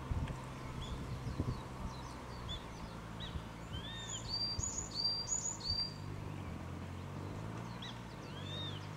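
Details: Grey-faced buzzard, a pair again at their Kanagawa breeding site, Japan, 13 April 2013; two arched whistled calls, one early and one at the end, among busy high twittering of small birds and low hum.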